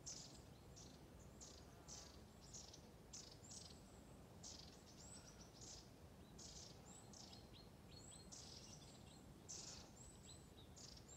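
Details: A flock of long-tailed tits along Ljustorpsån stream, Medelpad, Sweden, on a calm August morning (20 August 2020), trading thin, very high, sibilant calls in quick bursts every second or so over the steady rush of the stream.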